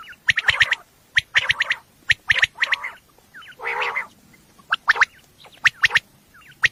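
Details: Common quail at night, sound used for hunting, giving crisp clipped notes in rapid groups of three, broken by one longer buzzy rasp midway.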